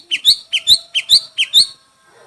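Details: Chinese hwamei competing in a song contest, repeating one ringing two-part phrase four times about every half second: a dropping whistle followed by a higher, sharper note.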